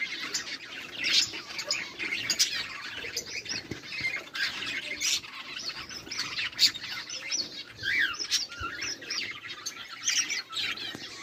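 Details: Several budgerigars chatter together in a dense, busy flock, with many overlapping squawks, warbles and rapid chirps, some louder bursts standing out through the steady chatter.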